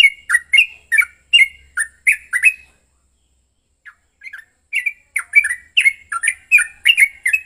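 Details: Agitated fighting song from a male yellow-vented bulbul, played to goad other bulbuls into song. Rapid, liquid chirps pour out, stop for about two seconds, then resume with a few scattered notes before the dense chattering returns.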